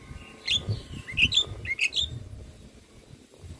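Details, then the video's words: Javan myna in full training song: a few clear, rising and falling squeaky whistles over low background rumble, then quiet. "Masteran Jalak Kebo Gacor Full isian - Semua Jalak Langsung Buka Suara"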